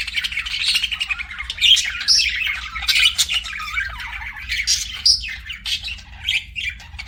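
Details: Pet budgerigars chirping: a continuous stream of warbled, scratchy chatter with quick whistled notes and short squawks, mostly high-pitched, rising and falling in dense bursts with no pauses, plus a steady low hum underneath.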